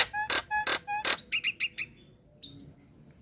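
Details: Female Nias hill myna calling males: three loud harsh bursts with tonal overtones, a quick series of short chirps, a brief whistle, then a high wavering whistled note.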